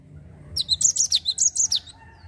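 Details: Short ngerol phrase from a Java sparrow, used as a lure to make untrained birds sing: roughly ten quick, high, down-slurred notes packed into just over one second against a quiet background.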